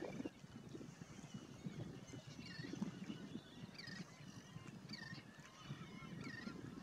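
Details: An American oystercatcher (Haematopus palliatus) at Fort DeSoto, Florida, in late September 2018 gives sharp, piping whistled calls, a few per second in short bursts, over a low rumble of surf and wind.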